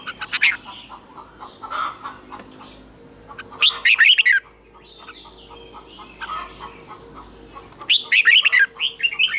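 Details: A red-whiskered bulbul sings tense double twisted notes as morning song for training other birds. Loud rippling phrases open and close the passage, with quieter chirps and other faint bird notes in between.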